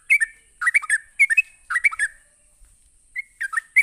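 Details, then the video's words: Fast ropelan song of a sooty-headed bulbul used to stir other bulbuls: clusters of two or three bubbly chirps separated by short pauses, with a longer quiet patch near the middle and a steady high whine behind. "Cukup Sekali Pancing Trucuk apapun bakal Nyaut ngropel Emosi dengan suara Ropelan Trucuk ini"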